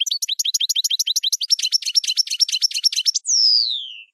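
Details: Camper song from a European goldfinch: a rapid, even train of high chirping notes for about three seconds, ending in a long buzzy note that descends in pitch.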